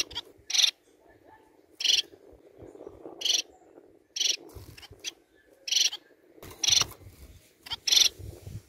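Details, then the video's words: Song of captive society finches, offered to encourage breeding: brief, harsh, buzzy bursts repeated roughly every one to one and a half seconds, with a faint low hum and soft rustling beneath. "MELHOR CANTO PARA ESTIMULAR A REPRODUÇÃO DE SEUS MANONS!"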